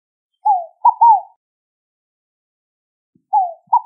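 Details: Scaled dove: one complete soft three-note phrase, falling first note then two quick mid-pitched notes, followed after a long gap by the start of another phrase.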